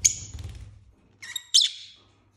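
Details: Indoor pet lovebirds playing and fighting: a piercing high screech that fades, a pause, then two more grating, shrill squawks in quick succession over a low background hum.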